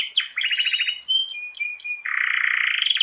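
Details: Canary singing a long-roll master song for training stalled or hard-to-breed canaries: quick swoops and a trill, several short whistled notes, then a long, dense rolling trill.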